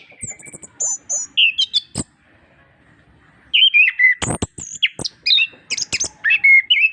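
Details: Orange-headed thrush master song to prompt silent birds to sing: varied whistled and squeaky phrases, a pause of about a second and a half, then a second dense burst of mixed notes and clicks.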